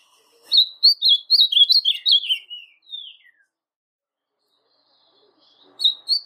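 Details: Pardo blue-black grosbeak singing, played to rouse quiet grosbeaks into song: a rapid warbled phrase of clear, slurred notes lasting about three seconds, dropping in pitch at the end, then silence before the next phrase begins.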